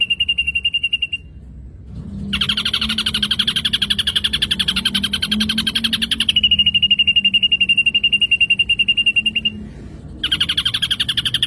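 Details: Ashy drongo repeating a steady high pulsed trill that alternates with long, loud, buzzy rattling passages, with short silent pauses between sections.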